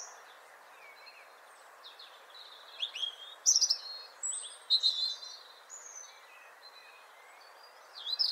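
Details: European robin song at lower volume. Scattered high, thin whistles and short twittering phrases come in several separate bursts, separated by pauses, over a fairly strong, steady low hiss.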